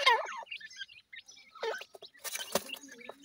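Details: Grey francolin chicks calling: short high, wavering chirps and peeps in quick bursts, with brief gaps, then a burst of rustling and clicking noise partway through.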